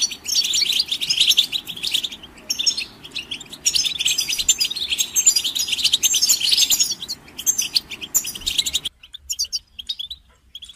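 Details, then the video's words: European goldfinch chirps and songs for listening and training: dense, nonstop high twittering and chirping for about nine seconds, then a sudden drop to near silence with only a few scattered notes. "The finest goldfinch chirps and songs for listening and training birds"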